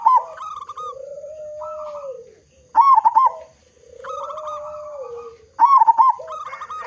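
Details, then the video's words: Big-voiced local zebra dove, a lure for making other zebra doves sing, alternates loud bubbling coo bursts with long, lower smooth cooing notes, a cycle repeating roughly every three seconds. "Perkutut Lokal Gacor Suara Besar Cocok Untuk Pancingan Semua Jenis Burung Perkutut Agar Cepat Bunyi"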